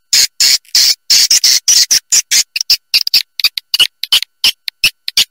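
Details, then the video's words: High buzzy swiftlet chirps used to draw birds to roost and nest, rapid clipped bursts that start dense and become shorter and more scattered toward the end. "Suara Panggil Burung Walet"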